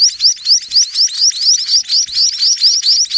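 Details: Sparrows in the evening, as night nears and parents feed their young intensively, give a dense run of high, thin, upward-sweeping chirps, about two a second, overlapping as several birds call at once.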